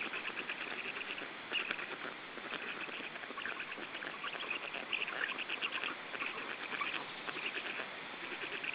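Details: Nestling black storks in Estonia, about three weeks old, beg while being fed on 14 June 2013: a steady wall of harsh, stuttering, rapidly repeated calls, several chicks overlapping throughout, with slightly louder bursts now and then.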